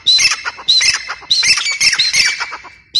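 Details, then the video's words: Grey francolin repeating loud, shrill, rising whistles in quick phrases about every half second, harsh and ringing, with a brief pause before a last note at the end. "teetar awaz | teetar voice | gray francoline teetar sound"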